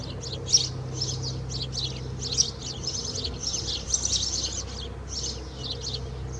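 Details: House sparrow singing into a swallow's nest at Alikes, Kitros, Greece: a steady run of short, bright chirps, several per second, with a low constant hum underneath.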